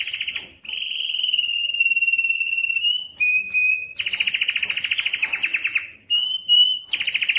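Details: Male Belgian canary singing to arouse females for breeding, used for song training. Long even rolling trills alternate with harsher buzzy rattles and brief sharp whistled notes, with almost no pauses.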